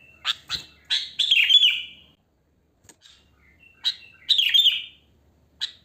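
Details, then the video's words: Sooty-headed bulbul, wild natural voice without mimicry, used as a lure: a few sharp chirps leading into a warbled, downslurring phrase, a long silence, then a similar phrase and a last chirp. "Suara Kutilang Asli Alam Tanpa Isian Gacor"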